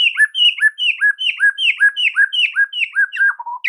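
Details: White-rumped shama kept in a cage, singing a training master song: a steady series of about a dozen paired notes, a high slur followed by a lower arched whistle, repeated rhythmically, ending in low warbles.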